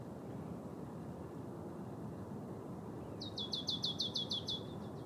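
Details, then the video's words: Marsh Tit, wild, in Trentino, Italy, in February 2024: after three quiet seconds of faint rural background hiss, a quick series of about eight high, sharp chipping notes runs for just over a second. "Cincia Bigia"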